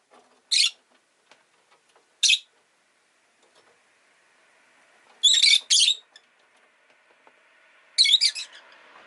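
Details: Rosy-faced lovebird giving sharp, harsh, high chirps: two single notes about two seconds apart, then a paired burst and a final cluster after quiet stretches, over faint low street noise.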